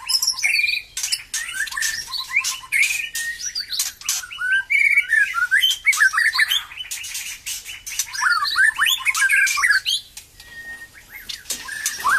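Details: White-rumped shama resuming song after moulting; long torrent of varied whistles, rapid chip series and warbled phrases, easing into quieter sparse notes and a single sustained whistle near the end.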